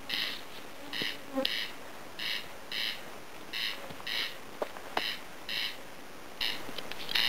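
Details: Corn crake calling unseen from tall grass near a home in Lääne-Virumaa, Estonia; dry rasping double notes, crex-crex, repeated steadily through the clip, with a few faint clicks and ticks in the background.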